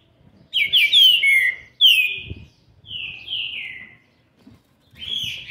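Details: A young green-winged saltator, seven months and 20 days old, recorded 13/11/2020, sings loud, rich whistled phrases of several slurred downward notes around mid-high pitch, in bursts over a few seconds.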